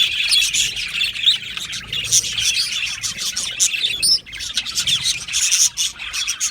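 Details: Many budgerigars in an aviary twitter together, crisp high chirps and scratchy squeaks over a constant chattering background, with one clear rising whistle midway.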